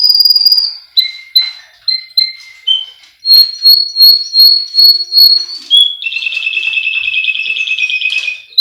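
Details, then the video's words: Russian canary from a breeder in Miami, Florida, singing for training: a varied sequence of clear whistled notes, short repeated chips, pulsed phrases of about ten quick notes, then a long rapid rolling trill to the end. "Melodies Russian Canary Bird Sounds"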